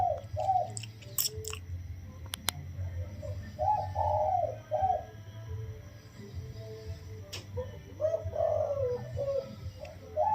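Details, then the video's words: Caged spotted dove, wild-caught 16 days earlier, delivering soft single-kuk coos; several separated low hooting phrases, with sharp taps and clicks near the start and middle and a low steady rumble underneath. "คลิปเสียงนกป่า อายุกรง 16วัน มาให้ชม ขันโยนกุกเดียวเต็ม เสียงเพราะ เสียงนุ่ม ฟังแลัวสบายหู"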